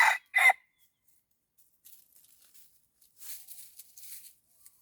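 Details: Red junglefowl crowing while set out as a decoy for wild junglefowl. Two quick, hoarse crow notes open the recording, followed by quiet rustling and scraping in the undergrowth.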